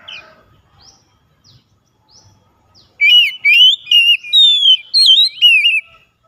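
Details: Daily lure song (pancingan) of the kacer, or Oriental magpie-robin, used to stir a lazy singer: soft faint chirps at first, then an energetic string of about eight loud, swooping whistled phrases with sharp high overtones.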